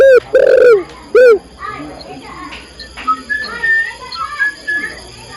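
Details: Female spotted dove calling a male, giving a short coo, a longer drawn-out coo and a final short coo, then quieter twittering from other birds.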